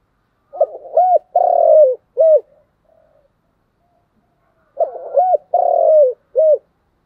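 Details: Spotted dove cooing continuously in thúc gù style. Two phrases, each a burst of short notes, a sustained coo falling in pitch and a crisp final coo, separated by near silence.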